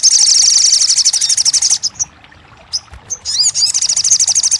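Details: Crested jay, used as therapy to spur a bird that has stopped singing: a fast, loud, high rattling trill, a short pause with a few sharp upslurred notes, then the rattle resumes.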